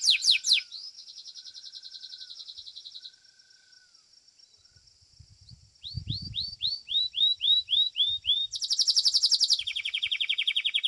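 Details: Belgian canary, a domestic bird in a singing competition, 7th edition: rapid high trills opening, a long steady buzzy trill, a soft low whistle, then a series of repeated descending swooping notes and fast rolling trills at the close.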